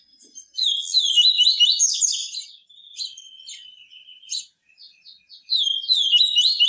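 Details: Yellow-bellied seedeater giving its pure 'tui tui viviti' song, used to stimulate captive birds: a fast tumbling phrase of high twittering notes, then a quieter stretch of short separate chirps, then another rapid warbled burst.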